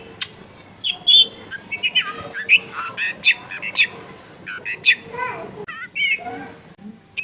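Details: Long-tailed shrike with a rich, clear song that other shrikes are meant to imitate. A jumble of whistles, slurred squeaks and harsh chatters, mimic-like and constantly changing, runs through the whole passage.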